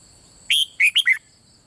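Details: Red-whiskered bulbul singing in the Thai 'beul' style, played to stimulate other birds to sing: one quick phrase of four bright notes, a rising held whistle then three short falling chirps, over a steady high electronic tone.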